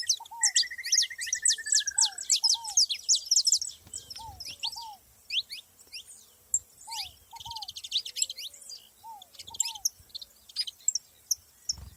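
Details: Saffron finches in nature open with a loud chorus of high, rapid chirps and a brief buzzy trill, then scattered sharp notes. Lower paired downslurred whistles repeat through the recording.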